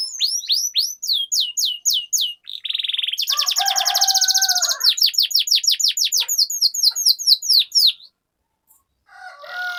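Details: Canary singing in the rolling style, offered as a lure for silent canaries: bright descending whistles, a dense buzzy trill, then quick repeated swept notes, ending in a brief pause and faint softer notes.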